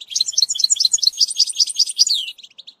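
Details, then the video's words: European goldfinch song with bitbita, used to train a young bird: a continuous, very fast jumble of bright high tinkling and twittering notes, closing with a falling slur and a few soft chips. "ecolage chardonneret"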